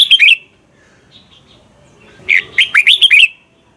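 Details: Red-whiskered bulbul from Thailand delivers one short phrase. A clipped note is followed after a pause by a rapid, lively run of five or six looping whistled notes, then quiet.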